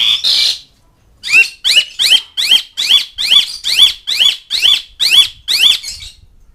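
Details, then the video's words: Asian pied starling calling to mates and rivals: one harsh screech, then about eleven scratchy chattering notes repeated evenly, roughly two per second. "NADA KICAU CALLING JALAK SUREN MEMANGGIL LAWAN"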